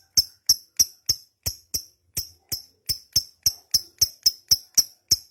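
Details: Lovebird in long ngekek song: a steady stream of short, sharp, ticking high chirps, roughly three to four per second, crisp and metallic, with brief gaps between them.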